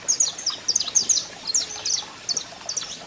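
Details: A male saffron finch sings with a female calling: high, clipped chirps and short buzzy phrases in small irregular clusters, over a hissy background.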